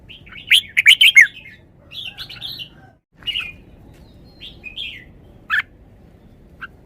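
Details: Red-whiskered bulbul singing: a loud burst of quick warbled notes opens, then shorter, softer whistled phrases and isolated sharp notes.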